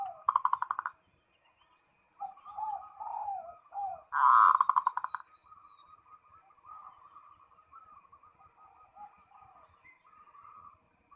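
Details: Zebra dove (perkutut) calling a rival, fairly quiet: a brief trill, soft cooing notes, a louder rattling trill, then a long low run of faint quavering coos.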